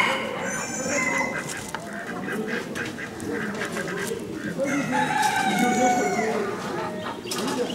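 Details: A Gallic rooster at the 2015 B.V.A.O. national poultry exhibition crows twice, with drawn-out harmonic notes, amid a loud hall of murmuring voices and other fowl.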